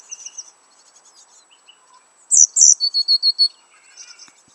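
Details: Coal tits at a garden nest box where chicks were being reared, May 2019: soft high twitters at first, then two loud sharp descending notes and a rapid series of five clear, evenly spaced high peeps, fading into thin chatter.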